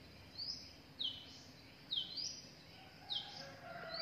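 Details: Young drongos with their parents in the wild; sharp downward-sweeping high chirps repeated about once a second, quiet background.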